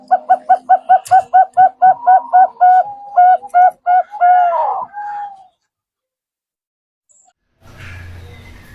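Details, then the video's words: Lure call of zebra dove for trapping, from Bangkok and local birds: a rapid train of staccato coos that loosens into longer, wavering notes before falling silent, with faint rustling at the end. "Pancingan Perkutut FULL,perkutut Bangkok,Pikat perkutut,perkutut lokal gacor"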